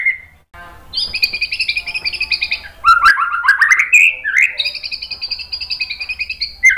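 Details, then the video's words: White-rumped shama singing to provoke rival shamas: a short whistle, then extended scratchy buzzing trills broken by a fast series of rising slurred whistles and sharp clicks, continuous and energetic. "MASTERAN MURAI BATU memancing EMOSI jadi NYAUT GACOR BONGKAR MATERI TEMBAKAN | PANCINGAN MURAI"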